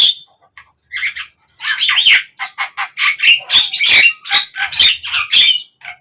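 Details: Javan myna singing across morning, midday and evening: a single sharp note, then a continuous, rapid chatter of grating, buzzy squawks mixed with thin whistled inflections, steady and loud.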